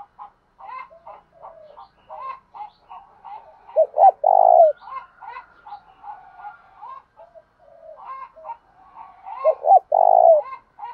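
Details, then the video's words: Male spotted dove cooing in the Thổ đồng voice style to provoke rival males into fighting, used for training decoy birds; two loud, low, rolling coo bursts near four and ten seconds amid many soft, short repeated notes. "cu gáy giọng Thổ đồng thúc đấu rút bổi rất căng lửa"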